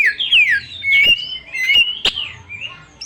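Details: Lure recording of a young wild Oriental magpie-robin meant to provoke other birds: descending and gliding whistles, a few sharp clicks, then softer, drawn-out notes trailing away.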